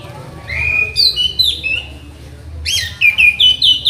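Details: Orange-headed thrush, a master songbird under mental training, singing long clear whistles and quick sliding notes, then after a short pause a fast burst of varied high whistled notes, with low hum beneath.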